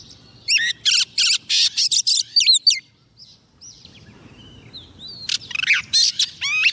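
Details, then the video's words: Oriental magpie-robin hen singing to attract a male: a quick run of harsh buzzy notes mixed with looping whistles, a near-silent gap of about two seconds, then another burst of mixed whistled and rasping phrases. "Choè than mái mồi hót gọi trống cực hay"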